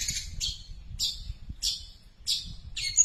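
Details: Long-tailed shrike copying tree sparrow calls: six loud, harsh chirps about half a second apart, each a downward-sliding scratchy note, the last ending in a thin whistle.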